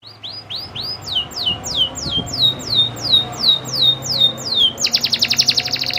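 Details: Local canary singing a long rolling song: a series of rising-then-falling whistled notes repeated about three times a second, ending in a rapid buzzy trill.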